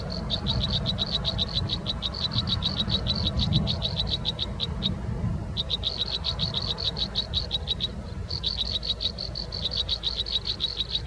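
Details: American robin nestlings begging to be fed in the nest, giving rapid trains of high, thin peeps in bursts broken by short pauses, over a low rumble of wind or handling noise.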